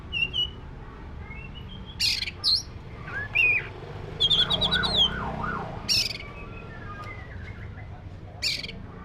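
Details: Oriental magpie-robin, black-breasted form, mixing short harsh bursts with sweet whistles and a rapid wavering warble, phrases separated by pauses, low humming noise throughout.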